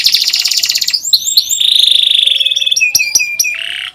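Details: Canary song aimed at teaching young canaries: a fast high trill, a sliding whistle into a steady buzzy roll, then sharp clicks and a brief low buzzy phrase.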